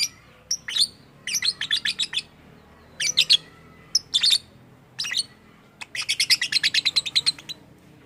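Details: Lovebird making strange sounds that reportedly copy human speech: rapid clusters of shrill chirps in bursts of three to five, ending in a long, fast rattling chatter of piercing notes.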